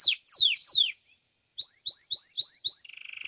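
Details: Belgian domestic canary singing for a competition: three long drawn-out falling whistles, a short pause, then five rising slurred notes and a brief low buzzy trill at the end.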